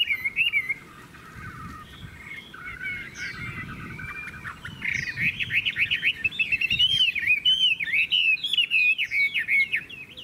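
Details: A Chinese hwamei described as a fine, loud singer warbles softly at first, then from midway bursts into loud, fast whistled runs with sharp up-and-down slurs and short pauses.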